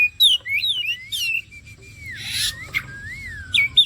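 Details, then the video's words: Kacer, or Oriental magpie-robin, singing in a bait recording meant to prompt other birds: quick rising and falling whistled phrases, a rasping burst in the middle, then smooth wavering whistles and sharp chips. "The bait for the kacer bird turns directly to the gacor"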